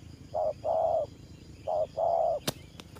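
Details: Spotted dove, a decoy bird used for trapping, cooing in the thổ pha style: two pairs of mellow low coos, each a short note followed by a longer drawn-out one, with a sharp click near the end.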